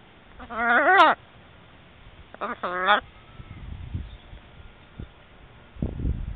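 A shamrock macaw gives two loud, harsh squawks about two seconds apart, each rising then dropping. Soft thumps and room noise follow.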